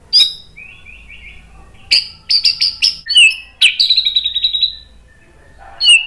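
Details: White-rumped shama song meant to provoke other shamas to sing, with crisp high chips, a short buzzy trill, a run of sharp clicks, then a long rapid rattling phrase and a final whistled note after a pause.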